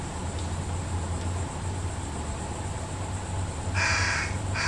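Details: Fish crow family with fledglings being fed by parents behind a backyard; after a long stretch of low hum, one loud, clipped, nasal call comes near the end, followed by a brief second note.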